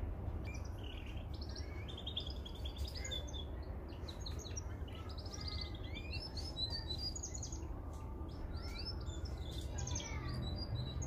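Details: A training recording for young canaries: Mosaic canaries give dense overlapping chirps, trills and sweeping notes throughout, with a steady low-pitched hum behind them.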